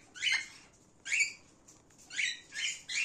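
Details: Male gray cockatiel giving harsh, raspy, broadband squawks in short bursts, about one each second, with brief quiet gaps between them.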